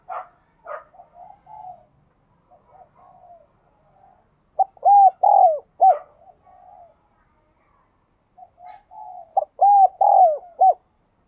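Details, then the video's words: Spotted dove with the giọng đồng chuông, or đồng kim, voice, a clear and far-carrying style. It gives two loud phrases of deep hooked coos, each with a short lead note, two drawn-out notes and a brief end, separated by quiet murmuring. "cu gáy giọng đồng kim"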